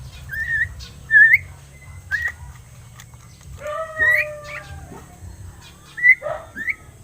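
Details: Pet crested myna, seven months old and learning words, giving a series of wavering whistled phrases, with a lower drawn-out whistle mid-clip and short sharp notes toward the end.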